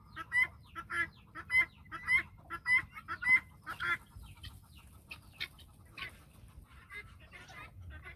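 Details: Guineafowl flock following a hen on a farm: loud rhythmic grating calls about twice a second, fading into softer, scattered chatter from other birds.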